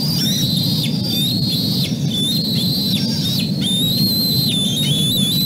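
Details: Bald eagle eaglet crying out from below its nest after dropping a fish over the edge and falling or jumping after it. Series of high whistled notes, each held briefly then dropping at the end, repeated several times a second, over a steady low rumble.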